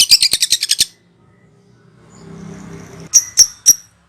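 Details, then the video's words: Lovebird ngekek call for luring birds: a quick burst of about eight rapid rattling notes, a quiet low murmur, then three sharp high chirps about a third of a second apart. "Pancingan Love bird ngekek"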